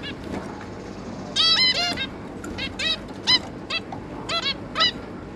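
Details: Quiet at first, then a zebra finch pair and their three juveniles, 11 May 2022, break into repeated short nasal honks, several birds calling in quick succession, some calls slightly downslurred.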